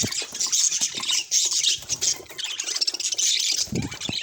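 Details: A pet budgerigar gives scratchy high squawks and chirps in uneven bursts, with a few soft low knocks and thumps in the background.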